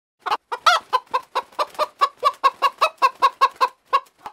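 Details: Chicken clucking in a rapid series of short, clipped notes, roughly fifteen in four seconds, each a low harsh cluck with a bright midrange tone, steady and evenly spaced.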